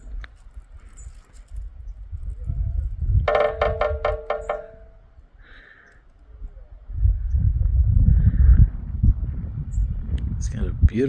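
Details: A woodpecker with a red hood and black body hammers on a metal sign: a quick burst of about seven ringing, metallic strikes within roughly one second, set against steady low wind rumble.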